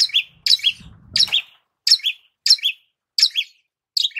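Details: Long-tailed shrike repeating paired chirps, a high sharp note followed by a lower slurred one, about once every half second, with a faint low thump early on.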